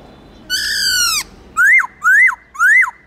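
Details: Black-throated laughingthrush song of many voices: one long, rich, harmonic downslurred note, followed by three loud whistled notes that rise and then fall sharply, evenly spaced about half a second apart.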